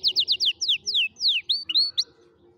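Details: Canary song used to teach young canaries: a quick run of falling notes, slower drawn-out downslurs, then a few rising whistled notes.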